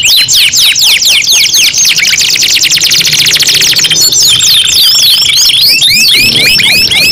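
A canary sings loud, high, rolling trills: rapid whistled sweeps repeated about twice a second, switching between different fast tours without pause.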